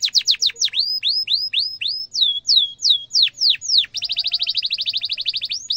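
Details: A canary's gacor song, used to teach young birds and to revive canaries that stopped singing. Fast descending chirps give way to slower curved whistles, then a rapid steady high roll.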